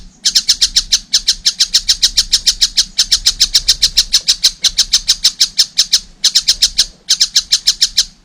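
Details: Young collared kingfisher giving rapid harsh chattering notes, about three per second, in long bursts separated by brief pauses; a low hum underneath.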